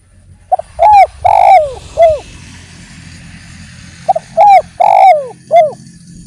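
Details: Two matching song phrases from a spotted dove (derkuku) in a lure recording: each a brief double note followed by three falling coos, the middle one long and rasping, over a faint low rumble.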